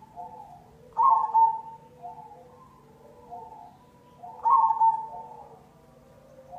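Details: Perkutut cemani zebra dove lure song: two loud bubbling coo bursts about three and a half seconds apart, each followed by softer, lower cooing notes, over a quiet low hum.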